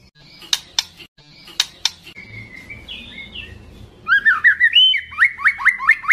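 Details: Spotted-plumage white-rumped shama in loud, agitated song aimed at a rival: clicking notes and a thin drawn whistle, then a quick chain of repeated upslurred whistles.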